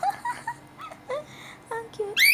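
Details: A pet cockatiel being fed gives short, slurred whistled chirps, ending in a loud, sharply rising whistle.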